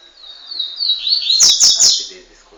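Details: A fast song from a double-collared seedeater aged one year and three months, from Montanha, ES, Brazil: sweeping high whistled notes that speed into three rapid, emphatic chirps, each marked by a sharp click.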